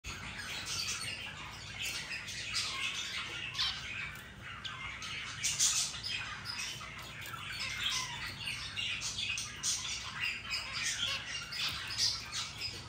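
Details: White zebra finches wag their tail feathers while giving a steady chatter of short, nasal, buzzy beeps, several birds calling over one another.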